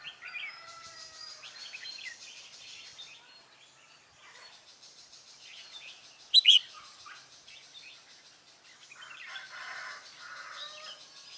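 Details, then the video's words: Red-whiskered bulbuls at a trapping site on 24 September 2017, a decoy bird calling wild birds in; short warbled chirpy phrases from several birds, with one sharp loud burst near the middle and a steady high hiss behind. "Bẫy chào mào Lăng xăng cánh nhẹ"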